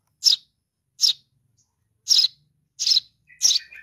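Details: Baby sparrow calling to its mother: five harsh, rasping chirps spaced under a second apart, the last followed by a faint lower twitter.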